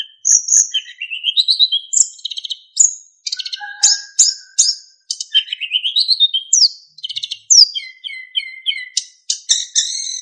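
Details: Narcissus flycatcher singing a master training song in full, busy style with clear flute-like whistles: rapid high chirps, trills and slurred whistles jumping between pitches, with short pauses, plus a lower whistled note midway.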